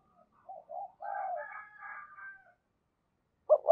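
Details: Decoy spotted dove cooing to lure wild birds. A soft, quieter phrase of two short notes and a longer drawn note, with faint higher overtones, then the loud start of another coo at the end.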